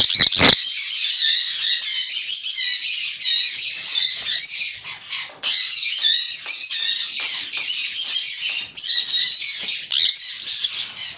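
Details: A pair of adult sun conures gives harsh, high-pitched screeching calls in rapid, irregular bursts.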